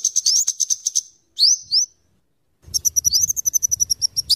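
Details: Scarlet-headed flowerpecker song for luring and tutoring birds: rapid high ticking run, two sharp rising whistles, then another fast ticking burst over a soft low rumble.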